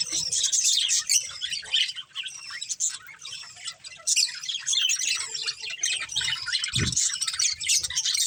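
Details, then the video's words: Budgerigars, a breeding pair with their family, caged: busy overlapping chirps and warbles, loud bursts around the first and fourth seconds, a soft knock near the end. "Beautiful Budgies Chirping Sounds | Love Birds Breeding Pair | Budgies Family"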